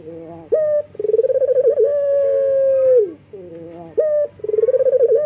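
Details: Male local collared dove in breeding condition calling females, used to prompt quiet doves to sing: a short coo, a rapid vibrating roll, then a long level note that drops at the end. A second call follows at once.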